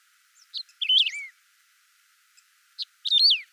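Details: Unaltered Saffron finch singing, free of sound effects: two bursts of high, bright chirps, each ending in a quick descending slur, separated by a brief pause with a few faint ticks.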